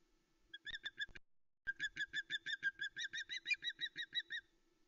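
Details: Osprey female calling on the nest at Loch Arkaig, Arkaig Community Forest, 26 August 2020 afternoon, as her mate arrives with a live mackerel; recorded by nest camera. A brief burst, a pause, then a long even string of sharp, high chirping notes about five per second.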